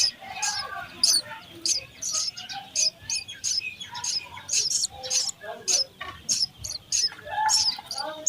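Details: House sparrow chicks begging while being fed in the nest: high, sharp chirps repeated rapidly and irregularly, many short bursts in quick succession, with faint rustling beneath.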